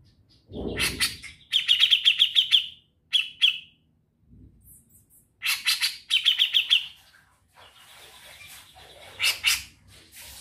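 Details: Grey-cheeked bulbul in energetic ngetril song: two bursts of dense chattering trills separated by short rasping phrases, with a dull low thump early on and faint background hiss.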